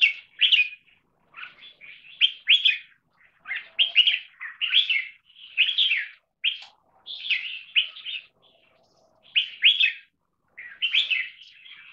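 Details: Red-whiskered bulbul trained for long singing, repeating short bright two-part chirped phrases with small gaps, steady and busy throughout, faint low sounds in the background.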